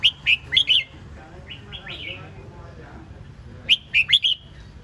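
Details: Red-whiskered bulbul delivering short, lively phrases of four rapid, bright whistled notes. Between the phrases come quieter downslurred whistles, and a low background hum runs throughout.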